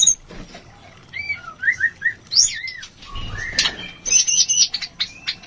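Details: White-rumped shama mating call, used as therapy to raise breeding urge: soft, spaced whistled slurs and chips, a sharp noisy burst near three seconds, then rapid high twittering notes.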